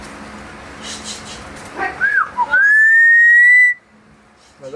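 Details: Myna imitating a horn on request amid people urging it on: a short arched whistle, then a long, steady, slowly rising whistled tone held for about a second before stopping abruptly.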